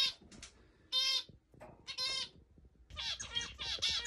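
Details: A male zebra finch, excited on meeting his mate for the first time, and the mate call and sing: nasal, buzzy, trumpet-like calls in short bursts, then a rapid jumble of excited chattering notes.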